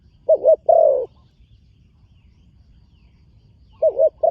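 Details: Spotted dove, young bird on its first outing at a competition ground, giving a wavering double note and a long low coo, then silence before another wavering note at the end.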